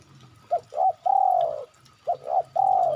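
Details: Coo of a spotted dove played as a lure to make birds call: two brief rising notes followed by a drawn-out, gently falling coo, the whole phrase given twice with faint low background hum.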